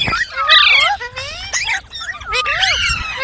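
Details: Talking ringneck parrot gives short, clear harmonic notes that swoop up and down, separated by brief pauses, with a sharp squawk near the middle.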